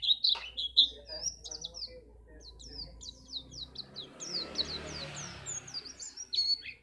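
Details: White-eye in Pacitan, played to make contest birds sing: bright high notes at the start, then a steady series of quick downslurred chirps over a murmur of background noise.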